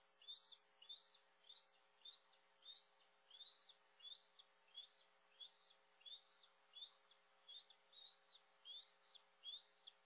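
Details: Bald eagle nest in Maine, early morning of August 21 2022, as an adult brings food to a fledgling nearly 15 weeks old. Shrill, whistled chirps are repeated steadily about every half second, roughly sixteen in a row.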